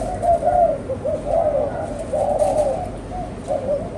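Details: Kept spotted dove producing soft, rounded, rolling coos in uneven groups, a muffled throaty pattern filling the whole stretch against a faint background hiss.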